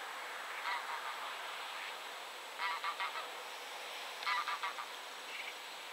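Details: Eurasian wigeon calling: three short bursts of clipped, whistled notes with bright overtones, each burst a quick cluster of two to four notes, separated by pauses of about one and a half seconds, over steady broadband hiss.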